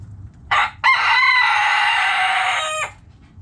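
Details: In a backyard flock, a rooster gives a brief opening burst, then a long, loud, rasping crow sustained about two seconds and ending abruptly, with quiet low rumble behind.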